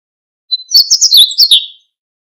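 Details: Meadow bunting song: one brief phrase of about a second and a half, opening with a thin high note, then a quick run of sharp, varied chirps and a slurred descending ending; no other sounds.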